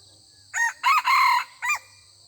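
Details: Red junglefowl rooster crowing during decoy hunting, when the wild birds are not yet aggressive and only exchange greetings with a new decoy rooster. The crow is loud and four-part: a short opening note, two longer middle notes and a clipped final note, over a steady high insect drone.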